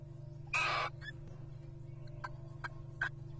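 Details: Wild Little Owl at a nest box during courtship in 2023 gives one loud raspy screech with a whistled undertone. Fainter short rasps and scattered clicks follow over a low constant hum.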